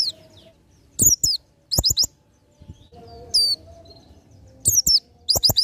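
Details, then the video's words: Ngalas nembak song of an Oriental white-eye, a master recording for training songbirds: clustered bursts of piercing high chirps separated by short pauses, a faint lower whistle in between. "PLECI NGALAS NEMBAK"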